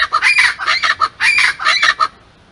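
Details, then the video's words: A pair of scaled chachalacas calls together at Pontal da Daniela, Florianópolis, Brazil, in October 2021: loud, harsh, raucous syllables, rapidly repeated and overlapping for about two seconds before falling silent. "Aracuã-escamoso (Ortalis squamata) casal vocalizando"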